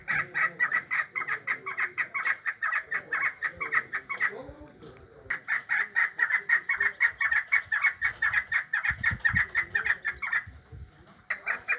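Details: Chukar partridge chicks and female (meri calls) give a long run of fast, sharp repeated notes, stopping for about a second midway, then continuing at the same brisk pace.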